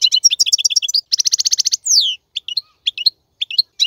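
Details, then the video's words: >Male European goldfinch singing to tutor young birds: quick runs of bright, twittering notes, then a dense buzzy trill and a sliding downward note, followed by scattered chirps. "تغريد الحسون : تغريد روعة"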